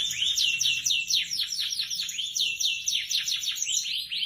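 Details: Canary of F1SF type singing a long, sustained song: rapid stream of arched whistled notes and trills, densely repeated over about four seconds with little pause, bright and high-pitched throughout; no other clear sounds.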